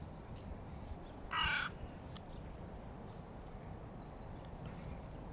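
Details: Hooded crows squabbling noisily over prey on the ground: a single harsh, raspy caw lasting under half a second over a steady low background rumble, with a faint thin whistle in the distance.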